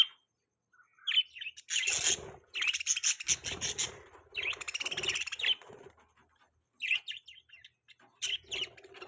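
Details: Pet budgerigars in a long burst of busy warbling chatter, scratchy and buzzy notes run together, then a pause and renewed bright chirps.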